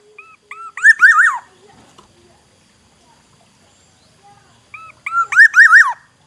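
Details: A forest Black-naped Oriole from Aceh gives two rich, fluty whistled phrases about four seconds apart. Each opens with short clear notes and ends in a rolling, liquid flourish, with quiet between them.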